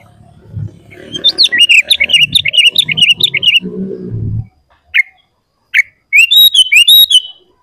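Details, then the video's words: Sooty-headed bulbul song used to make other bulbuls sing: a rapid series of repeated chirps over a low rumbling background, two isolated notes, then a burst of bright varied chirps. "SUARA BURUNG KUTILANG GACOR Paling Ampuh untuk Pancingan dan Masteran Bikin Kutilang Ribut"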